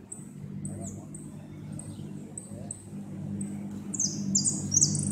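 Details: Competition goldfinch singing in the 'repique' style, 2016 north zone, second place: a string of short, high, evenly spaced whistled notes that breaks into a quick, buzzy trilled flourish, over steady low hum and faint voices.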